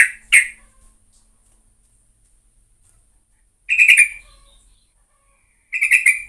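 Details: Sooty-headed bulbul in vigorous singing, recorded as a lure. Two sharp chirps at the start, a long quiet gap, then a short rough burst of notes and, after another pause, a final burst.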